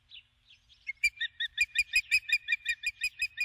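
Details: Female osprey calling for her mate from the nest at dusk: after two faint chirps, an insistent rapid series of high, sharp whistled peeps, evenly repeated for over two seconds.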